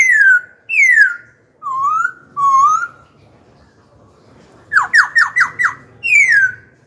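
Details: A kept Black-throated laughingthrush sings to challenge rival birds and train young ones. Two falling slurred whistles and two rising whistles lead into a quiet gap, then four rapid down-sweeping notes and a final descending whistle.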